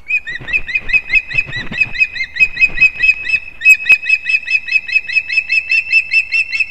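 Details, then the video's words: Young ospreys competing at the nest in Kurzeme, Latvia, 11-9-24. Shrill whistled chirps repeat without pause. Soft rustling and a single sharp knock sound underneath. "КОНКУРЕНЦІЯ МІЖ ПТАШЕНЯТАМИ СКОПА ГНІЗДО"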